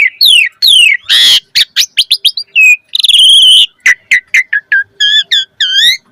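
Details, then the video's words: Asian pied starling 'gacor full isian' song, played to spur other starlings into singing: fast downslurred whistles, a harsh rasping burst, a long buzzy warble, then a string of short sharp notes and trills. "Suara Jalak Suren Gacor Full Isian Auto Respon buat Pancingan Burung Jalak Agar Gacor Isian Mewah"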